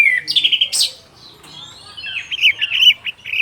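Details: Orange-headed thrush song in the afternoon, opening with sharp whistled notes, then a long faint upward slur, and ending with a quick series of bright, wavering warbles.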